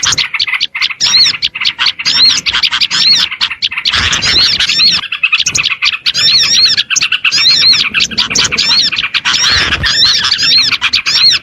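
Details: Lively, nonstop twittering of Oriental white-eye meant to lure small birds. High, rapid arched chirps overlap densely, with brief louder bursts.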